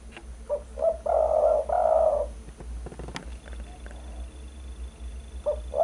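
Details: Lure recording of a spotted dove for attracting and tutoring birds: two short hoots and two long, smooth coos in a row, a sharp click, then the next phrase starting with short hoots; low steady hum underneath.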